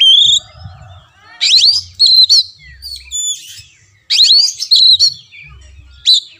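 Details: Oriental magpie-robin singing as training audio for a caged kacer that stays silent: a whistled opening, then two dense bursts of steep rising sweeps and ringing notes separated by quieter stretches, with faint low hum.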